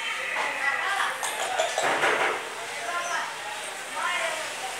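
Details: A pet grey parrot, just after a bath, talks in short human-like phrases such as "Laillaha Illallaha", "kia hua" and "mitthu kon hai", with coughing, in a few bursts across five seconds in a room with faint clinks.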